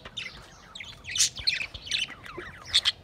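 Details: Budgies chattering on 28 April 2023: a packed string of high, squeaky chirps and warbles, several rising sharply, coming in quick succession without pause.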